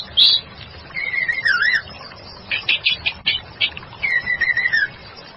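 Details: Female white-rumped shama (murai batu) on a lure recording gives softer wavering whistles, a run of rapid scratchy clicking notes, then a falling warbled whistle, quieter than the surrounding passages.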